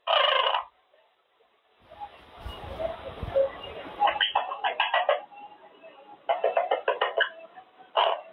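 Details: Male Quaker parrot in his cage, practicing words such as good boy, pretty boy, baby, thank you, and blowing raspberries. A short raspy burst, then a pause and soft rustling, then a run of clipped, speech-like syllables in quick groups.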